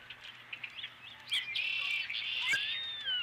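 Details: Osprey at its nest at Dunrovin Ranch with a fish, evening of 12 April 2017: a few soft chirps, then a loud, sustained high whistled call with falling, sliding notes lasting nearly two seconds, over a faint steady background hum.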